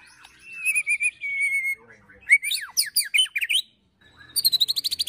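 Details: Provocative 'ketrekan' song of a white-rumped shama, including cililin, prenjak and tir mimicry, used to train birds: trilled whistles, a tumbling burst of sharp varied notes, a silent gap, then a quick repeated high trill.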